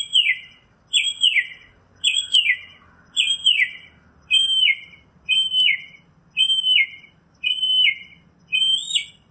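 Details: Northern mockingbird repeating one high, downslurred two-part phrase about nine times in a row, nearly once per second. Each note is bright and slightly buzzy, and the delivery is steady against a calm background.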